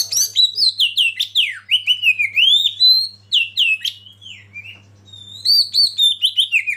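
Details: Lead Oriental magpie-robin song used to provoke other birds into singing: a rich, rapid string of clear whistled notes dropping and rising in loops, rhythmic and loud, briefly pausing before another run of high sweeping whistles; faint low hum.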